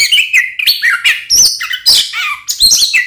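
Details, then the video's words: Oriental magpie-robin in loud, energetic song, a lure meant to provoke other magpie-robins into fighting: rapid varied whistles, slurred rising and falling notes and scratchy chatter, delivered continuously without pause. "SUARA BURUNG kacer gacor NGEPLONG TARUNG konslet ini paling AMPUH buat PANCINGAN KACER agar EMOSI"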